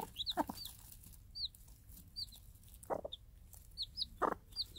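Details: Game hen with day-old chicks on a free-range permaculture farm, calling them to food she drops; a few low clucks spaced about a second apart, with frequent high chick peeps throughout.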